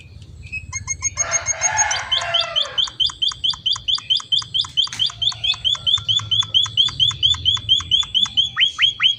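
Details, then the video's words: Emprit finch (munia) singing in the lively gacor isian style: a fast, steady series of sharp, high, downslurred chips, about two per second, with a brief harsh, noisy burst early on and low background hum. "Burung Emprit Finch gacor isian"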